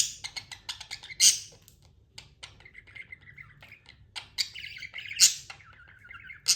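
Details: Tame budgie chattering: quick clicking ticks and short chirps, a loud piercing call, then rapid, scratchy warbled phrases with several more sharp high notes near the end.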